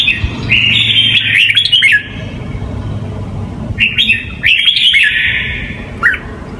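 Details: Red-whiskered bulbul singing in the Huế song style, played to teach young birds, with two bursts of quick slurred whistled notes rising and falling, separated by a pause, over a steady high hiss and low hum.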